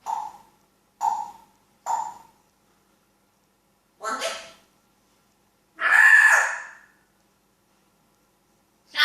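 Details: Talking African grey parrot giving three short clipped calls about a second apart, then a raspy note and a longer loud drawn-out call, against silence.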